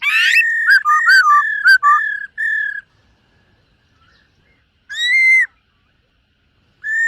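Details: Black-throated laughingthrush in its dancing morning song for voice training. Quick looping whistled notes form a rich phrase, then silence broken by one loud arched whistle and a final ringing note.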